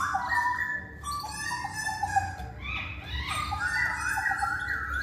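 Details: Masked laughingthrush song played as a lure so males will respond: dense chorus of whistled and warbled phrases, varied pitch, several birds overlapping continuously over a low background hum.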